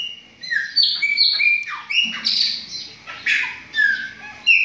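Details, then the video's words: Chopi blackbird singing clear whistled notes and downward-sliding slurs in quick phrases, with a few sharp fluty accents between them. "O BARULHO DOS PÁSSARO PRETOS"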